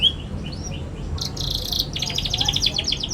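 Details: Young canary, used as a lure for young canaries learning to sing: a few soft whistled notes, then buzzy rapid high trills in two bursts, over steady low background noise.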